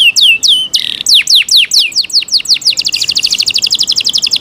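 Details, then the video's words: Yorkshire canary kept at home delivering loud song: several descending whistled slurs and a buzzy burst, then an accelerating string of quick high repeated notes. "Yorkshire canary Nice sound"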